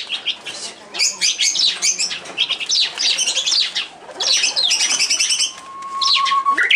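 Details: Rainbow lorikeet calling: dense bursts of harsh, shrill screeches and chattering squawks in rapid irregular runs, with a thin steady whistle-like tone near the end.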